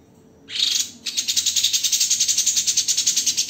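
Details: A white-rumped shama sings a master track for training songbirds in the dense, rough 'tembakan' style. A brief harsh phrase is followed by a fast, steady series of buzzy, high notes, about four each second.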